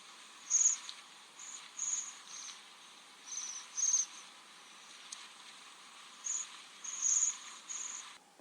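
Waxwings give thin, high, silvery trills, short ringing bursts at an uneven pace about every second or two, over a steady background hiss.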